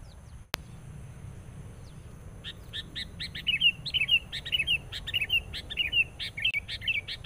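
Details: Sooty-headed bulbul used as a trapping decoy, worked up on meeting a rival: after two quiet seconds, a rapid run of short ticking pulses mixed with repeated chirpy, slurred two- and three-note phrases, continuing excitedly to the end.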